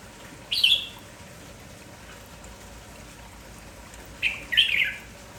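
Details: Red-whiskered bulbul (merbah jambul kampong), lively in the morning and singing nonstop: two short bright chattering whistled phrases about four seconds apart against a quiet hiss.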